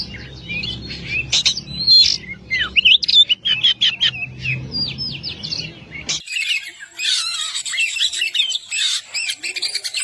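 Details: Kacer, oriental magpie-robin, in a long-duration masteran: clipped chips and twisting whistles, then after an abrupt cut a louder, fuller stretch of varied warbling notes.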